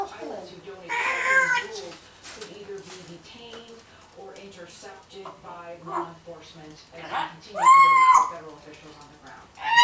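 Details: One-year-old female African grey parrot kept as a pet, blabbering indoors; mimicked speech-like phrases in a mumbling voice, broken by sharp, whistled, rising syllables.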